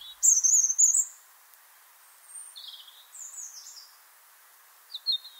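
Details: European robin (Erithacus rubecula) singing to defend its territory, also in winter. Its clear, pearling song opens with high, fine notes that fall tremblingly and speed up, in short phrases separated by pauses against a quiet background.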